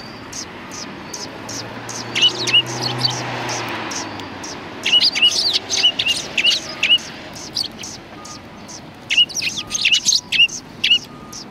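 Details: Winter sparrows, 7 February 2020, welcoming someone in front of a cultural hall. Sporadic high chirps come in loose bursts over a low background rumble, busiest in the middle and again toward the end.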